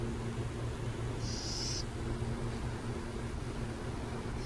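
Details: One strong, half-second hissing screech from burrowing owls in San Jose, followed near the end by a brief faint one, all over a low, steady traffic and electrical drone.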